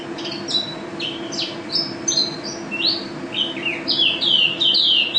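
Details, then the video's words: National first-place mountain white-eye in busy gacor song: a quick tumbling stream of high whistled notes, about three per second, building toward a dense, louder run of bright slurs near the end. "Pleci Juara 1 Nasional pleci Gacor juara nasional teler gacor ropel pleci"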